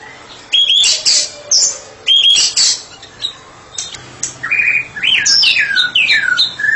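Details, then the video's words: White-rumped shama, described as a therapy specialist bird, singing in ngeplong style: bursts of high whistled and chattering phrases with short pauses, ending in a run of clear slurred whistles that rise and fall. "Murai batu spesialis terapi sedang ngeplong"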